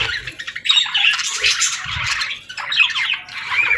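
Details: Pet birds chatter in a harsh, squawky warble, with dense overlapping chirps and a brief lull before the final burst.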